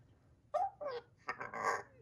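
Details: Two-month-old pet African grey parrot chick indoors giving two short tonal, slightly wavering calls, followed by a longer harsh, grating squawk in a small room.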